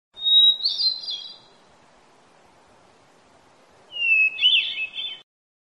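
Hermit thrush singing two flutey phrases, each opening with a long pure whistle and breaking into higher, ringing, echoing notes, with quiet pauses between.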